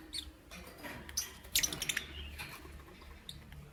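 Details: Morning chatter from a pet lovebird: a brief burst of shrill, scratchy chirps crowded together, then a few isolated high squeaks fading out, with low rumbling noise underneath.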